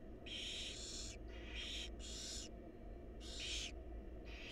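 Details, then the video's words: Wild barn owl chicks in a monitored nest box beg while their mother feeds them: harsh, broadband hissing screeches about half a second long, several overlapping in quick succession, with a steady low hum beneath. "Barn Owl Mom Lovingly Feeding Her Adorable Babies"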